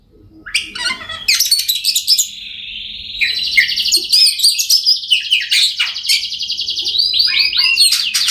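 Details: Oriental magpie-robin song aimed at making silent birds sing: a long, continuous, rapid trilled and twittering phrase of high, harsh notes mixed with sweet whistled slurs.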